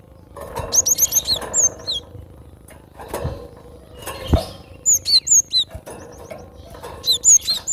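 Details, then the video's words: Cinereous tit, used for luring and as a tutor song: short clusters of high, thin, down-slurred chirps repeated in quick series, broken by pauses and several loud knocking and bumping noises. "Gelatik batu suara asli"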